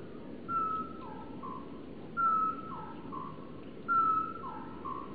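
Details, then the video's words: Male great tit proclaiming his existence in early spring sunshine, 25 February 2014: three measured phrases of a piercing whistle then two softer lower notes, about 1.7 seconds apart, against a continuous low hum. "A great tit proclaims his existence through the medium of bird song"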